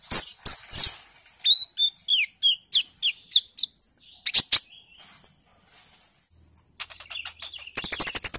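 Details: Lure song of a young olive-backed sunbird in early green-speckled plumage following juvenile plumage: loud chips, then a rapid sequence of high downslurred twitters, ending in a fast buzzy trill of repeated ticks.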